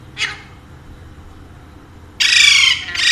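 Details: A pet talking Alexandrine parakeet, one of two, gives a brief harsh note, then a loud, raspy half-second squawk and a second squawk, all high-pitched and grating; no clear words are heard.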